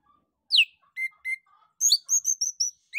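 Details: Orange-headed thrush song meant to prompt other birds to sing, starting with a falling slurred whistle and mid-pitched notes, then a quick run of high, thin, evenly spaced whistles.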